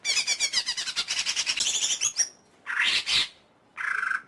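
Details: Greater green leafbird pouring out a fast rhythmic series of chattering notes, about five per second, then harsh buzzy squawks.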